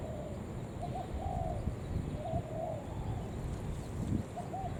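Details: Spotted dove used as a lure for wild doves, giving soft hollow coos in short groups, with low thumping handling noise in the background.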